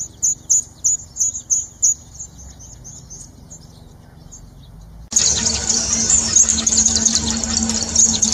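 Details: Northern red bishop (Euplectes franciscanus) giving a quick series of thin, high chirps, several per second, then a loud sizzling hiss that fills the rest.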